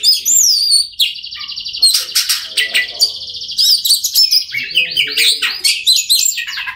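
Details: Oriental magpie-robin singing a full, energetic song meant to stir quiet birds into singing: sweeping whistles, then a long, rapid, rattling trill, breaking into dense chirps and squeaky, rising and falling notes.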